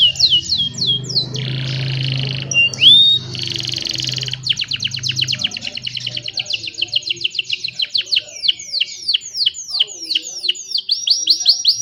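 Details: Young canaries sing to train others, recorded by cellphone. Short downslurred notes, a buzzy passage, then long, rapid trills of clipped repeated notes that run on for several seconds.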